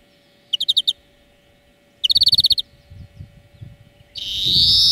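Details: European greenfinch song lesson for training birds: two bright rolling trills, the second longer, then a harsh wheeze begins; soft low thumps in the background.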